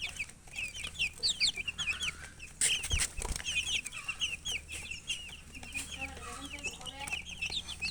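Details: Young chickens (murgi chicks) thirsty for water call in a busy flock, giving rapid high-pitched cheeps, many slurred downward, overlapping steadily; a couple of sharp thumps near three seconds and faint low clucks later.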